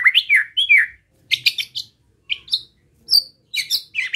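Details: White-rumped shama song meant to stir rival shamas: short clipped whistled notes and sharp chips in quick, uneven bursts with brief silences between.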